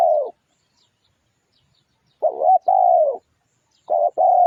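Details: Lure song of a spotted dove: low cooing phrases, a brief wavering note followed by a drawn-out falling coo, repeated about every one and a half seconds, on an otherwise silent background.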